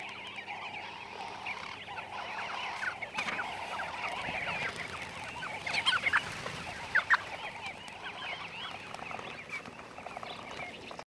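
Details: Namaqua sandgrouse gathering, birds that nest in sand dunes and fly up to 30 km for water; many overlapping bubbling, wavering calls with a few louder sharp notes near the middle.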